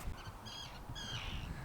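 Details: Common terns at a local nature reserve on a blustery evening give three harsh, grating calls in quick succession, the last longer and drawn out, over a steady low rumble of strong wind.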